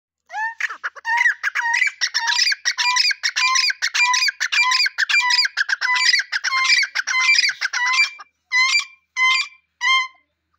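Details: A pair of grey francolins calling together, a loud rapid series of ringing, harsh two-part notes repeated almost twice a second for about eight seconds, then a few spaced final calls before silence.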